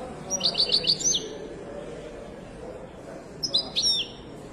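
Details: Widani-style singing by a Moroccan European goldfinch. A fast run of four repeated high chirps ends in a descending slur. A second twittering phrase with sliding notes comes about three seconds later, over low background noise.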